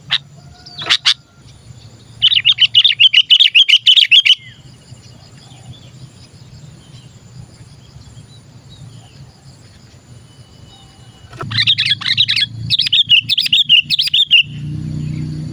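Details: Sooty-headed bulbul (kutilang) calling, used as a lure to attract other bulbuls. Two bursts of rapid, chattering, bubbly notes lasting about two to three seconds each, separated by a long quiet stretch with a low rumble and faint hiss.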